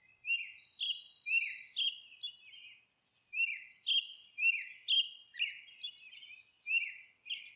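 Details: Harsh repeated squawking from a nesting monk parakeet, clipped scratchy notes falling in pitch at roughly two per second, a short pause midway before the series resumes.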